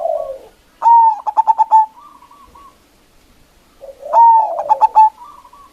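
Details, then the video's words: Local zebra dove in full voice, used as a lure to call in and provoke rival doves: a low hoarse lead-in, then a bright ringing coo broken into rapid stuttered pulses, the phrase given twice with a soft trailing coo. "Perkutut Lokal GACOR suara Besar Ampuh memanggil Lawan_EMOSI MANGGUNG PANCINGAN PERKUTUT LOKAL"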